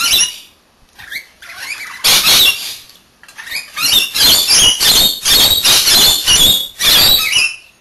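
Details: Two pet Rainbow Lorikeets take turns bathing indoors; harsh, rasping screeches with thin whistled tones come in rapid bursts, mixed with splashing water.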